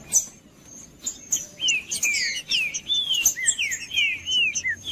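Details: Captive green-winged saltator song meant to stimulate quiet birds before tournaments: dense run of downward-sliding whistled notes, overlapping phrases packed closely together, and a faint constant high-pitched tone behind.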